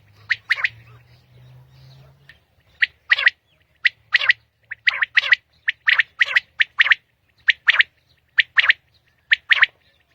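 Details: Common quail, known locally as batair, singing at dawn in Pakistan: a steady series of crisp, explosive notes grouped in twos and threes, repeated rhythmically for ten seconds over near silence, a brief low hum at the start.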